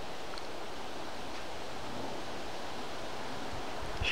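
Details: Only a steady rushing of wind or surf-like noise is heard, with no animal calling.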